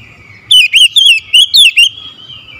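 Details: An oriental magpie-robin sings in the morning, giving six quick, bright whistled notes in a rising and falling pattern over about a second and a half, with a thin steady tone in the background.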